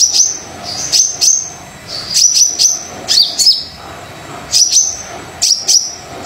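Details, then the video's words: Brown-throated sunbird singing eagerly as a lure for quiet birds: short high twittering phrases with bright chip notes, delivered in pairs of bursts about two seconds apart. "Kolibri Dada Coklat Super Gacor Pancingan Kolibri Yang Males Bunyi"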